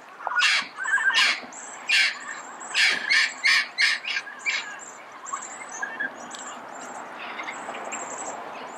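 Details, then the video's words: Harsh, raspy squawks from a red-crowned amazon in early-morning Pasadena, about a dozen loud notes in uneven succession, then fading to softer calls while small birds chirp thinly and high in the background. "Red-crowned Amazon Bird Sound, Bird Song, Bird Call"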